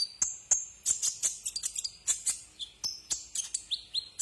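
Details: Kolibri ninja, or Brown-throated sunbird, on a tutor track used to train cage birds: lively high twittering with sharp chips, brief slurred whistles dipping lower, steady fast pace throughout.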